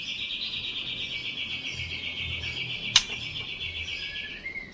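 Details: White-rumped shama delivering a trotol-style trill to lure a rival: a continuous high, buzzy, quavering note lasting over four seconds, one sharp click midway, a short whistle at the end, faint background hum.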